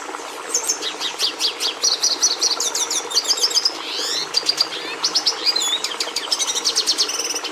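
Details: Song of a red siskin, the bird breeders used to introduce red pigment into domestic canaries: rapid high twitters and repeated chirp series, a sweeping slurred note near the middle, then more trilled and buzzy phrases.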